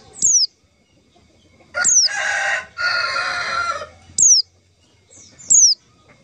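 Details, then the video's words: White-eye lure call for trapping: high, thin whistles sweeping downward, repeated at uneven intervals, broken by a long, loud burst of harsh, noisy rasping sound in the middle. "suara panggilan pleci untuk pancingan pleci"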